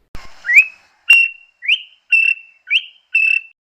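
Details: Greater honeyguide (Indicator indicator), call.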